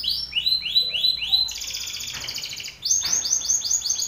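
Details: Male Belgian canary singing strongly at a rival male: slow series of arched whistled notes, then a dense buzzy rattling trill, then quicker repeated arched notes again.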